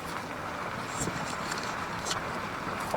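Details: Car engine drone with wind and scattered handling clicks, no animal voices.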